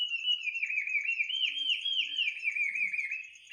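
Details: Bird singing at midnight: a continuous, melodious warbling that rolls up and down in smooth waves, with a thin steady high tone running behind it throughout.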